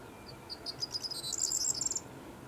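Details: Corn bunting singing at Foxton, Cambridgeshire, England, May 2018: a few high ticking notes speeding up into a dry, jangling rattle like shaken keys, lasting under two seconds.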